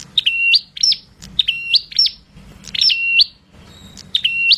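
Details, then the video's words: A prinia delivers a rapid series of shrill, bright chirps in rising, hooked phrases, repeated steadily every half second to second, loud and clear against quiet background. "Prenjak Gacor Suara Bocor Harian Der Dor"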